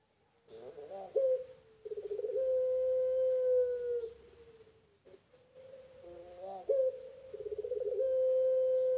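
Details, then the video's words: Captive-bred Barbary dove of the puter pelung type coos: two long, level, drawn-out notes held for several seconds, each opening with a short wavering trill and tailing off slightly, separated by a brief pause in a quiet room. "Puter Pelung Paud"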